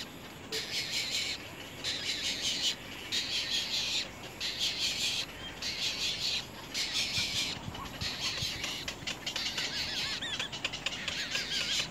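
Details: Young little egrets at the nest bite their mother hard. Blocks of harsh, buzzy squawking last about a second and repeat after brief silences.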